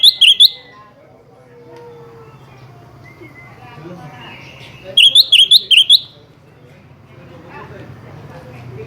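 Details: Sooty-headed bulbul challenging a rival: a quick trio of liquid chirps, a pause, then a faster run of about four bubbly notes, with low background hum.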